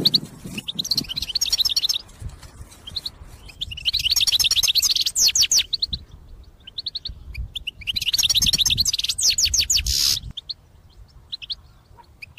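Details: European goldfinch singing for use in bird trapping, delivering dense bursts of fast, tinkling twitters and chirps separated by quieter gaps with scattered single notes, ending in a short buzzy rasp.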